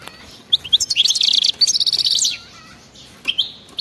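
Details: Wild goldfinch 'betbeta' song, used to trigger singing in quiet goldfinches: a rapid pulsing trill of high buzzy notes for over a second, a pause, then a short twitter.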